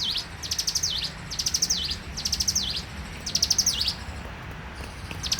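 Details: Bar-winged prinia singing in the morning: bursts of rapid high ticking notes, each ending in a sharp dipping whistle, given in four phrases with short pauses; faint low rumble beneath.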